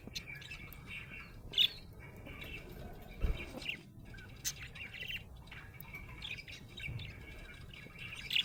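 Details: Happy budgerigar chirps and warbles in bursts, with loud sharp clicks at intervals and a brief thump or flutter-like sound partway through.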